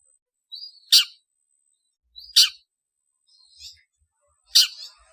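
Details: Long-tailed shrike calls used as a lure to gather other birds: three harsh, broadband bursts about every 1.8 seconds, each preceded by a short thin rising note, with a fainter softer note between.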